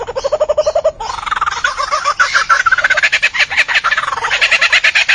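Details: Albert's lyrebird of Australian subtropical rainforest giving a loud, rhythmic song of pulsed notes, starting with a steady low churring series then shifting into fast, rising, rattling phrases that grow harsher toward the end.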